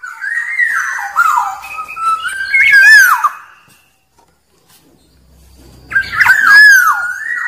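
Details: Wild black-naped oriole song meant to draw rivals: a rolling run of liquid whistles with a brief harsh burst, then about two seconds of silence before another rich whistled phrase starts.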